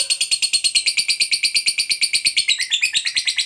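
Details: Long 'ngekek' trill of a fighter lovebird that pulls other lovebirds into singing, a fast, steady, shrill chattering of roughly seven pulses each second running unbroken, the notes turning slightly wavering near the end.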